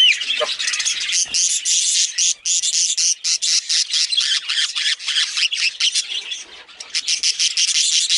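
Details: Budgerigar chirping in quick bursts: high scratchy twitters and squeaky notes broken by brief gaps, forming a choppy, stuttering warble.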